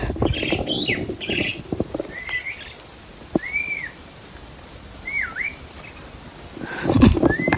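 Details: Several pet crested mynas out roaming on a happy riverside trip in the countryside. Scratchy chatter opens, followed by separate clear whistles, each arching up then down, spaced about a second apart. Rumbling bumps and outdoor noise at the end.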